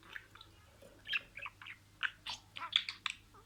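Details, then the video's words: Pet budgerigar talking, with words in sequence: a rapid run of short, scratchy, chirping syllables and clicks, mostly high-pitched, with brief pauses between bursts, recorded indoors. "SIRALI KELİMELER, MUHABBETKUŞU SESİ,MUHABBETKUŞU KONUŞMA SESİ DİNLE"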